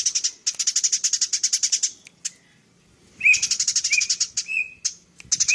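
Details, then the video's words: Tree sparrow chatter used to teach other cagebirds: a fast run of high chips, a quiet gap with a single note, then a second burst accompanied by short rising whistled notes. "Suara burung gereja gacor full nyrecet"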